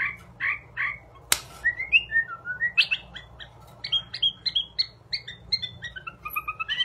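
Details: White-rumped shama singing a varied string of clear whistled phrases, short notes shifting in pitch with some buzzy and rising elements, ending in quicker repeated notes; one sharp click early on.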